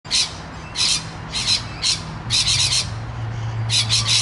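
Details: Rainbow lorikeet noisily chatting with its companions on the Olinda Creek Trail in Montrose, Victoria, Australia: harsh, screechy squawks in short bursts about every half second, with a low hum in the background.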